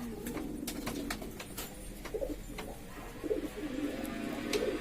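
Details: Several kinds of domestic pigeon kept by hobbyists in East Lombok, West Nusa Tenggara, Indonesia, forming a noisy flock; low soft coos swell now and then beneath frequent sharp clicks and knocks, with steady background hum.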